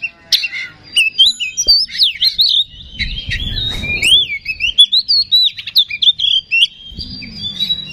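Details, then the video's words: Oriental magpie-robin singing, played to rouse other birds into song: clear whistled notes sliding up and down in varied phrases, with a brief burst of background noise mid-way. "Suara Pancingan Kacer Agar Cepat Emosi Gacor"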